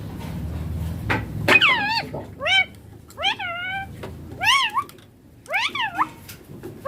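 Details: A baby Indian ringneck parakeet, kept as a pet that mimics speech, gives five loud rising-and-falling squawking calls, each about half a second long, spaced roughly a second apart, with faint room noise between them.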